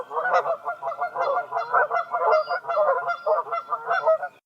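Canada geese give a dense, overlapping chorus of nasal honks, roughly two per second, loud and continuous with no other sounds.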